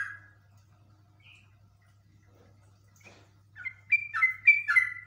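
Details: Agitated yellow-vented bulbul: mostly quiet with a couple of faint notes, then a short burst of rapid gurgling, downward-sliding chirps closing the recording over a constant low hum.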